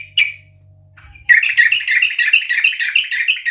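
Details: Yellow-vented bulbul singing a loud ngeplong lure song: one short note, then a fast continuous bubbling warble of chattering notes, with a little low hum early on.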